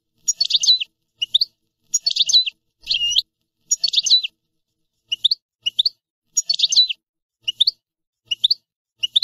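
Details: European goldfinch giving repeated high, bright notes: short clustered twittering bursts alternating with single upslurred chirps, several per second in irregular groups across the recording, with a clean quiet background.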